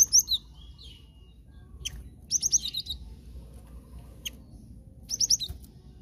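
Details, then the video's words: Lure recording of a cinereous tit for trapping: bursts of sharp, very high twittering notes, each burst of three or four quick chirps, separated by pauses of about two seconds, with faint clicks. "Pancinga Glatik Batu"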